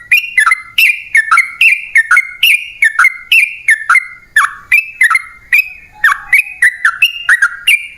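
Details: Sooty-headed bulbul song used as a lure for wild birds: loud, bright, short liquid phrases of falling and rising notes, repeated steadily about twice a second with brief gaps and no other sounds.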